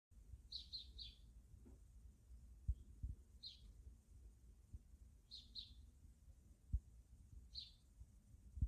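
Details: Wild backyard sparrows giving short, high chirps in small clusters, some doubled, spaced irregularly over several seconds, above a steady low rumble with occasional soft thumps.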